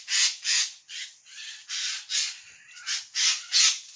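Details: A Eurasian jay, a bird of dense forest, gives its loud, startling screech: a run of harsh, rasping screeches, about three a second, loud and noisy with nothing else heard.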